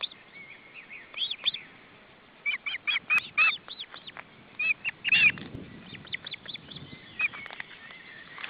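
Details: Osprey at the nest during a fish delivery for supper, July 2012: scattered high whistled chirps, some in quick runs, over a steady low background hiss.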